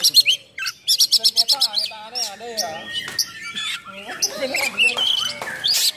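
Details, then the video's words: Oriental magpie-robin in a hard 'nembak' bout with rough fill-ins, played to provoke and train other birds of its kind. A fast rattle of high chips opens, followed by varied warbling, slurred whistles and scratchy notes. "Kacer Gacor Full Nembak Isian Kasar"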